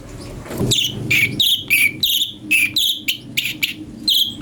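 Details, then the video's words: Cucak cungkok, or Brown-breasted Bulbul, song used to tutor magpie-robins: quick, bright chirps in a fast, uneven series, starting after a brief low thump, over a faint background hum. "fariasi suara cungko buat masteran murai"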